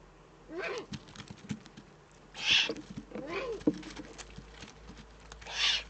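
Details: Eurasian eagle-owl, Eifel region of Germany, 3 May 2014: two loud breathy hisses, one near the middle and one at the end, with rustling, scratching and soft lower squeaky sounds between them.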